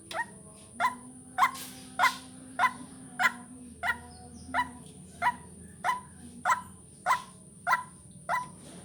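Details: Lure call of a white-breasted waterhen: a steady run of fourteen short, rough honking notes, spaced about 0.6 seconds apart, backed by a continuous shrill electronic tone and a low droning hum.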